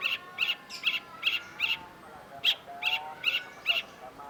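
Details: Long-tailed shrike, or cendet, singing vigorously in a masteran recording: clipped, piercing notes, some doubled, come about every half second, while soft lower tones sound in the background.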